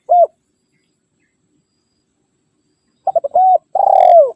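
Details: Spotted dove's rival-calling coo, used to attract wild doves when trapping and to prompt caged birds to sing: one short coo, a long pause, then a phrase of quick notes ending in a drawn-out, falling rolled coo.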